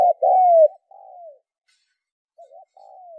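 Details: Brief spotted dove coo used to stimulate decoy birds: one strong two-part phrase with a long falling note, followed by softer, quieter coos after a short pause.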